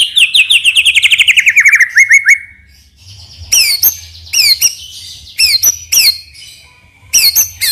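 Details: White-rumped shama lure song beginning with a fast descending trill of repeated notes, followed by a series of sharp, separate downslurred chips spaced about half a second apart.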